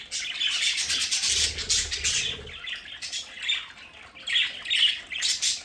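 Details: Pet budgerigars in their indoor play area produce rapid, rasping squawks and chatter, dense at first, then broken into sharper bursts with short pauses, over a soft low rumble.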